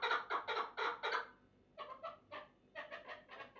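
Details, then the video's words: Rapid burst of loud, gravelly chuck notes from a chukar partridge, then a short pause and softer, scattered clucks resuming in an uneven rhythm. "Кабки Чул"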